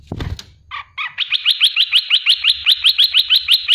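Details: Olive-winged bulbul, also called cucak lumut, giving a 'tembakan pedas' burst meant as a tutor for caged songbirds; a few opening notes, then a steady string of fast, sharply pulsed bubbly notes, about five per second.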